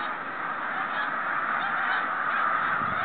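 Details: A 2013 flock of snow geese heading home: a loud, unbroken mass of overlapping honking calls, rapid and dense, with no other sounds standing out.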